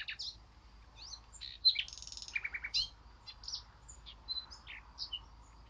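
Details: Eurasian blackcap warbling scratchy, quick notes, with a short buzzy passage and a few clipped repeated notes in the middle of the phrase.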